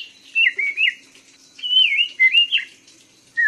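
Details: Black-throated laughingthrush song of fluid, wavering whistles that rise and fall in two longer phrases separated by a short gap, with a single whistled note starting at the end; low steady hiss underneath.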